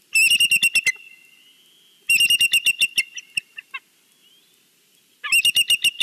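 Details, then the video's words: A bald eagle on its Big Bear nest greets the valley with loud, high, rapid chattering trills in three bouts, notes tumbling downward at the end of each bout, a thin whistle lingering between them. "Jackie's Sunday greeting to the valley"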